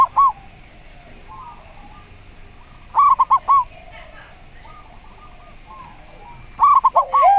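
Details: Zebra dove singing in the slow-voice style: short bursts of three or four quick, clipped mid-pitched coos at the start, middle and end, softer dove notes between them, and a lower arched coo at the close.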